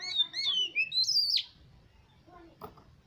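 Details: Oriental magpie-robin singing to stimulate competition birds: a quick series of clear whistled slurs and chirps climbing to a bright high phrase that drops sharply, followed by quieter faint notes and a click.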